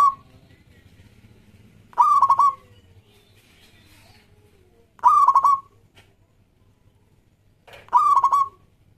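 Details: Local Zebra Dove (perkutut) singing actively, used as a lure to prompt other doves to sing. Three rolling, stuttered coo phrases about three seconds apart, each a short rising note that breaks into quick beats, with a faint low hum behind.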